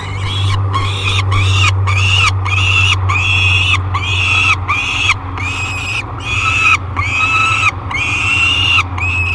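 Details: Thirty-day-old peregrine falcon nestling calling in a nest box at Great Spirit Bluff on 1 July 2021, filmed by nest cam: a run of about eleven drawn-out, harmonic wails, each steady then slurring at the ends, roughly one per second, over a low hum.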